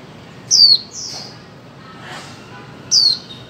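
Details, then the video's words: Female white-eye call meant to prompt silent birds to sing: two loud, thin, high notes that drop in pitch, plus one softer chirp between them against low background hiss. "Khuyên mái 2024 hàng giành cho chim câm"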